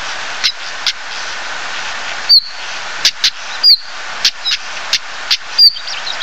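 A Stonechat gives a few thin, sharply falling whistles mixed with hard, clicking 'tack' notes at an uneven pace, over a steady background hiss.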